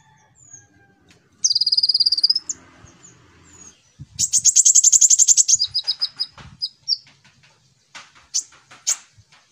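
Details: Konin song as a lure for training young birds: a fast high trill, a pause, then a long shrill rattling burst, followed by scattered sharp chips and short high notes.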